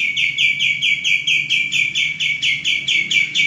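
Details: A male common iora, its song kept for coaching cage birds, delivers a brisk, regular string of bright chirps, about a dozen in three and a half seconds, each dropping slightly in pitch.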